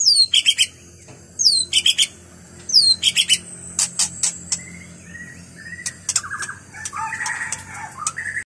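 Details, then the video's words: White-rumped shama singing in wild forest: sharp high whistled phrases repeated in bursts, then varied lower warbled and rolling notes, with faint background forest noise. "murai batu suara asli hutan"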